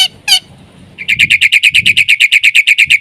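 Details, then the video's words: Black-winged myna in energetic song used to train other mynas: two loud opening notes, a pause, then a long fast series of uniform, buzzy chirps about six per second. "BURUNG JALAK PUTIH GACOR suara FULL ISIAN terbaik untu PANCINGAN - MASTERAN SEGALA JENIS JALAK"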